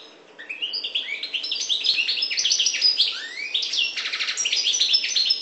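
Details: Continuous high, jingling warble from a North African parva goldfinch, mixing quick upward slurs with a dense buzzing trill toward the end.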